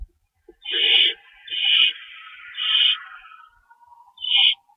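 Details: Owl nest at feeding time, March 25 2012 at 3:53 am, rabbits on hand; three drawn-out hissing screeches that trail into a falling, fading wheeze, then one more short screech.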